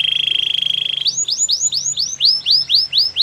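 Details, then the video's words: Belgian canary singing a training song: a steady low rattling trill for one second breaks into a string of bright arched whistles, about three per second, sliding down at the end of each. "Warm up your belgian canary!! The best canary training"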